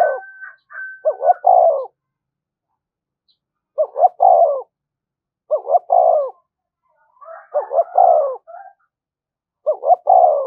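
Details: Spotted dove giving the thúc gù cooing style, used to stimulate decoy birds: low, throaty coo phrases of three or four notes, repeated about every two seconds, with a faint higher whistled note near the start.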